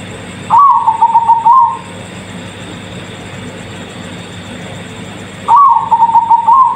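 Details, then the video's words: A Bangkok-type zebra dove singing: two phrases about five seconds apart, each a sharp opening note followed by a fast series of wavering, warbled coos at one steady pitch, over a constant background hiss. "Perkutut Bangkok Istimewa"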